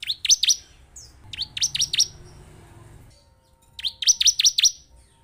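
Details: Lure song of bar-winged prinia used to rouse a caged bird into singing quickly: rapid clusters of four or five piercing, descending chip notes, about three groups within a few seconds, against a quiet low background hum.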